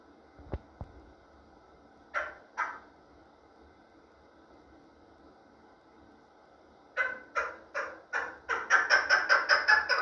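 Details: Chukar partridge in a small indoor room: a few isolated harsh clucks, a quiet gap, then a quickening series of loud rhythmic chuck notes, roughly two or three per second, building toward the end.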